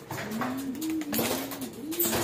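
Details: Loft pigeons in the Philippines, kept birds being let out, adults reportedly aggressive with young birds; a steady, hollow coo gliding up and down in one long phrase, with soft clatters and rustling around it.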